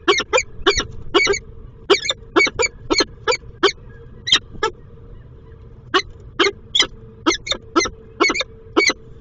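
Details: Peregrine falcon at the nest on 10 April 2023: the male is incubating and the returning female urges him off the eggs. Harsh, scratchy calls come in quick bursts, roughly two per second with short pauses, over a steady low hum.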